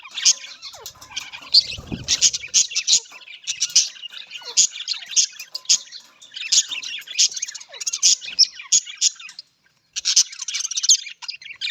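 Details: Budgies, the Australian parrot, twittering nonstop in high scratchy chirps, with a short thump near the start and a brief break before the end.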